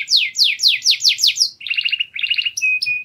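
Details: White canary in courtship song: a slow series of sweeping downslurred whistles, about four per second, then two low warbling rolls and brief flat whistled notes.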